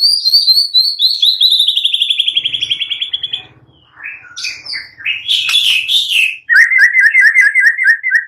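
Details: White-rumped shama singing hard as a provoking track meant to stir silent shamas: a descending series of sharp whistled notes, a rough burst of harsh sounds, then a rapid, even, repeated chirping trill.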